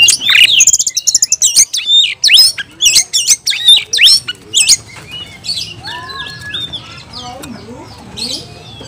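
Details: Oriental magpie-robin in an over-emotional, provoking song: rapid loud run of sharp, high chirping notes over the first five seconds, then softer scattered whistles and twitters fading toward the end.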